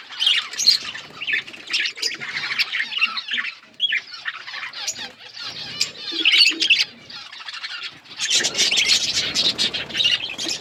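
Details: Budgerigars chirping, recorded February 18, 2024: a dense, continuous chatter of high, scratchy warbles and quick chirps from several birds, with brief pauses and a busier, louder burst near the end.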